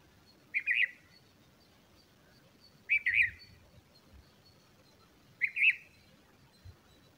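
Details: Chirping during a bulbul's feeding of its chicks: three bright, slightly buzzy two-part chirps, spaced roughly two and a half seconds apart, against a calm background with faint low rumbles.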